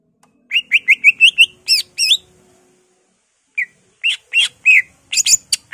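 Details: Greater green leafbird singing emotionally, its repertoire stuffed with mimicry of birds such as magpie-robin, laughingthrush and canary: seven fast rising whistles in an even rhythm, two looping notes, a gap, then scattered high chips and twisting whistles.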